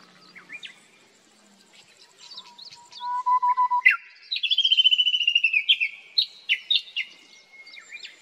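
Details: Japanese bush warbler singing in summer on a plateau at about 1800 m: a long, low, steady whistle, then an abrupt high note and a rapid ringing trill of about twenty notes, other small birds faint behind.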